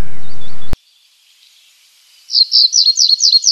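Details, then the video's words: Common reed bunting (Emberiza schoeniclus) song: after a sharp click and a quiet pause, a steady series of about six high, bright, slurred chirps repeated quickly, each note rising then dipping, clearly in the foreground. "O canto da Escrevedeira dos caniços ( Emberiza schoeniclus )"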